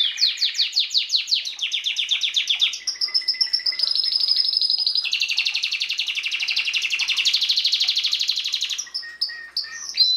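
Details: Belgian canary song used in breeding season to encourage chicks, 2016; a continuous bright high song of fast trills, shifting between rolled phrases, steady buzzy stretches and quick repeated syllables for ten seconds, ending in short chirps.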